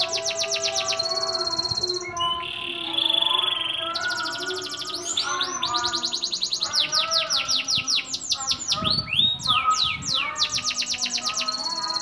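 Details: Bottle-green local canary from Gresik, a frequent class winner at practice bird contests, delivering a continuous varied song of fast high trills, sliding whistled notes and rattling chirp series, switching phrases every one to two seconds.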